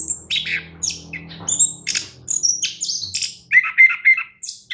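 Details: A champion orange-headed thrush sings a fast medley of harsh chatters, squeaky notes and thin high whistles, ending in clearer repeated whistled notes, with a faint low hum behind.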